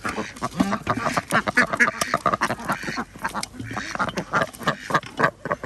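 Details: Ducks at feeding time on an organic village duck farm in Andhra Pradesh, India, where chickens and geese are also kept: dense, overlapping nasal quacks in rapid, irregular bursts from several birds at once.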